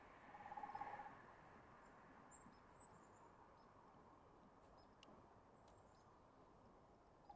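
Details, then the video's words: Woodpecker drumming live outdoors among other tweeting birds: one short, resonant rapid roll of taps near the start, then a quiet background with faint high bird notes. "I'm over here listening to the woodpeckers go and the birds tweeting"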